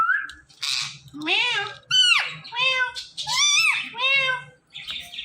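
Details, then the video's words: Rapid stream of talking from a pet parrot pair: a whistled lead-in, then a string of meow-like, speech-toned syllables that swoop up and down, roughly one per half second, with brief gaps. "BEST "TALKING" "PARROT" COUPLE EVER"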